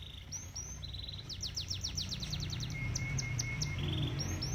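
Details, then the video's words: Canary song over gently flowing koi pond water: short high rising notes, a quick run of descending clicks, then a level whistled tone and a fresh trill, all bright and fast. "Relaxing Canary Bird Singing"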